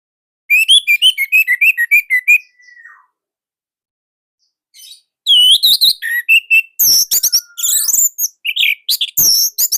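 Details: Loud, tight song of an Indonesian orange-headed thrush used to coax other thrushes: a run of quick repeated whistled notes, a falling thin whistle, then varied, louder warbling and slurred phrases.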